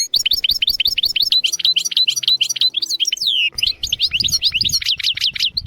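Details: European goldfinch giving continuous teaching song for young goldfinches and canaries, a loud tumbling stream of high twitters, tinkles and slurred notes with hardly a break throughout.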